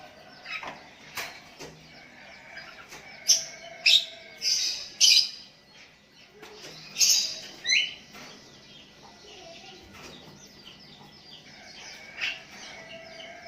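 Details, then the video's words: Sooty-headed bulbul calling to a rival lure bird while other bulbuls answer: scattered short chirps and harsh, bursting notes, busiest in the middle, with a faint steady background hiss. "Burung Kutilang Memanggil Lawan pancingan,,dan Kutilang Lain Ikut nyahut"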